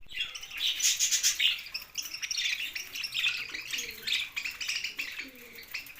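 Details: Budgerigars kept as pets chirp in a busy, continuous warbling chatter of high twittering notes with short squeaky bursts; several birds overlap throughout, and soft low cooing sounds faintly in the background.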